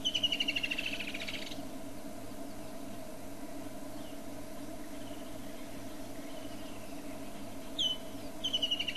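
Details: Woodland kingfisher calling: a high, rapid trill that slides downward, heard clearly at the start and again near the end after a short sharp note, over a steady low mechanical hum throughout.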